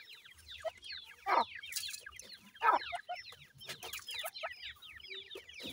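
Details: Young francolin chicks give rapid, overlapping, high-pitched downslurred cheeps throughout, broken by two louder rasping bursts and scattered clicks, with faint low rumbling underneath.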